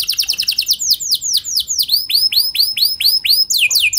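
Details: Singing canary on a lure track to get others singing: quick run of descending notes slowing into broader, looping whistled sweeps, repeated steadily, ending with a sharp drop into faster notes.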